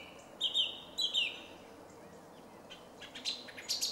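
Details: Song thrush in a small wood beside Jarun in Zagreb, Croatia, on 2 March 2016: a clear whistled phrase given twice in quick succession, followed by softer, scratchy high notes against a steady background hum.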